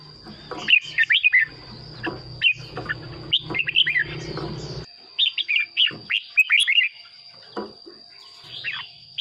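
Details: Red-whiskered bulbul singing, from Thailand, used to make caged birds lively or to lure birds. Bubbly whistled phrases rise and fall in groups separated by brief gaps. A low rumbling hum fills the first half, then the background goes quieter.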